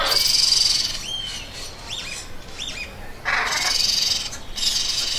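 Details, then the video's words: Parrot calling: harsh, broadband screeches alternating with short, clear, arched whistled notes, then two long grating squawks near the end. "PSITACÍDEOS - Araras - Cacatuas - Papagaios - Periquitos - Animais da Fazenda - Som Dos Animais"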